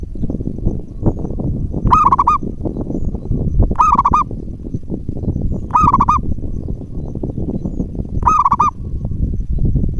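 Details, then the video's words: Lure call of a local zebra dove, meant to provoke answering doves: four brief quavering stuttered coos spaced about two seconds apart over a steady low rumble. "perkutut lokal gacor buat pancingan 99,9% cepat direspon perkutut manapun"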